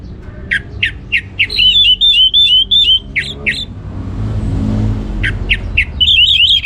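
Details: Orange-headed thrush in full ngeplong-style song from a captive bird in northern Bali: rows of sharp, rapid chips mixed with twisting high whistled warbles, a short pause, then more chips and warbling.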